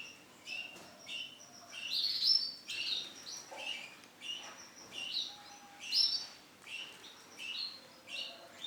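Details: Yellow female canary repeating short, bright high chirps in small bursts roughly every half second to a second, with quiet gaps between each burst.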